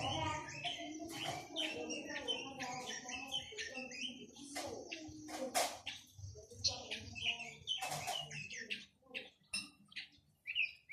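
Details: Chinese hwamei song: a busy mix of clear whistled phrases, rising and falling slurs and short chirps, quiet and fading toward the end, with low background hum and possibly other birds.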